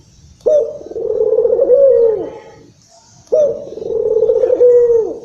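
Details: Local Barbary dove (puter lokal) played to lure and excite other doves: two long, low, husky coos of about two seconds each, a rolling tone that wavers and then falls away at the end, with a short pause between.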